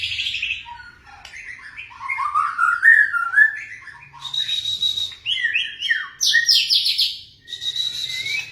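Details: White-rumped shama in fast varied song: a run of whistled slides and warbles, sharp high buzzy bursts, and changing phrases with brief pauses between them.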